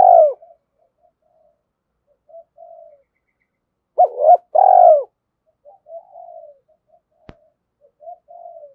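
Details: Spotted dove cooing used as a lure to provoke another dove to call: a low, throaty coo at the start, a loud two-part coo midway, soft breathy murmurs between, and one sharp click.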